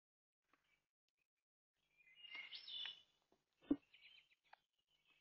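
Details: Brown thrasher song: a scratchy, buzzy phrase lasting about a second, followed by a few short chirping notes, with scattered sharp clicks in an otherwise quiet background.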